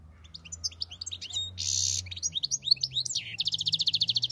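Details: European goldfinch song: rapid tinkling twitters and buzzy notes high in pitch, a harsh rasping burst midway, then a fast even series of bright repeated notes about four per second at the end.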